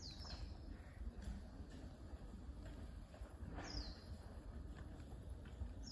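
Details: Common kingfisher by the Zenpukuji River, filmed on a smartphone with a clip-on telephoto lens: two thin, high, downward-sliding whistles a few seconds apart, with a third starting at the end, over a steady low rumble of urban background noise.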